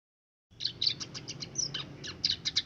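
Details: Caged Scaly-breasted munia, raised from young alongside other birds, singing like a canary: a string of high chirps and a short whistle over faint low background hum.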